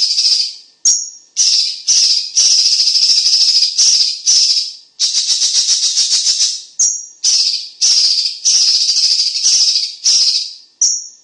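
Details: Competition-bird vocal tutor of Cucak cungkok, whose voice is loud and dense: a long run of harsh high buzzy phrases repeated almost two a second, with occasional thin whistled notes between.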